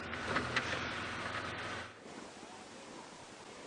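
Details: Early-morning safari drive at 5:30 AM on October 4, 2016: broad vehicle and wind rumble that drops to a quieter hiss midway, with no animal calls.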